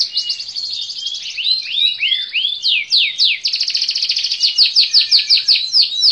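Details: Canary singing a fast, varied song: high buzzy trills give way to a series of swooping downslurred whistles, then rapid repeated notes pulsing several times a second to the end.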